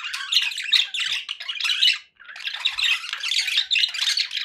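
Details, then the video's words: Several pet budgerigars chattering happily indoors, a dense stream of scratchy warbles and squawks with a short pause just after two seconds before the busy chatter resumes. "happy budgie sounds"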